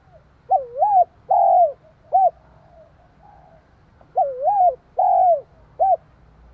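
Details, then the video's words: Spotted dove cooing to excite and provoke a rival dove. Two loud three-part phrases about three seconds apart. Each has a double-humped first coo, a drawn-out falling coo and a brief last note, with soft faint coos in between. "Tiếng chim cu gáy kích bổi, tiếng gáy nghe ức chế."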